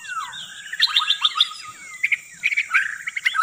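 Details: White-rumped shama song for luring birds: fast series of bright repeated whistled notes, then sharp chips and clear rising whistles, with a continuous high hiss behind.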